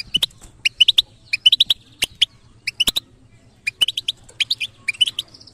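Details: European goldfinch singing the batbata style presented to bird trainers: lively groups of bright, slightly rising chirps with pauses between bursts, sharp clicks, and a thin steady high tone near the end.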